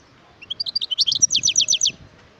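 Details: Singing wild European goldfinch, 2018: rising thin chips lead into an energetic, dense twitter of repeated downward-sliding notes lasting about a second and a half.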